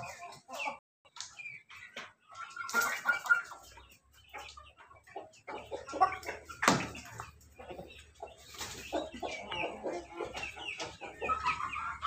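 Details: Loud crowing from an ayam ketawa, a laughing chicken linked to pelung and Bangkok crosses: broken, stuttering bursts with brief steady tones, spread over several seconds amid clatter, clucks and faint voices.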